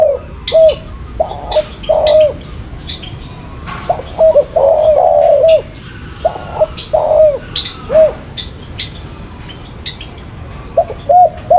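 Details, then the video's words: Spotted dove repeating a phrase of short hooped coos and a longer drawn-out note, several phrases in a row, with thin high chirps of other birds behind. "Burung Tekukur Paling Gacor"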